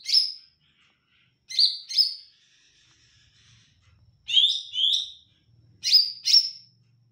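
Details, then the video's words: Olive-backed tailorbird singing busily: emphatic paired high notes repeated in bursts every second or so, one pair dropping lower in pitch, with faint low rumbling in the background. "Cucak ijo mini gacor suara merdu"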